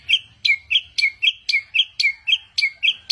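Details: Versatile mimic bird calls in quick pairs: a sharp high note followed by a dropping slur, repeated steadily about four times per second, clean and loud.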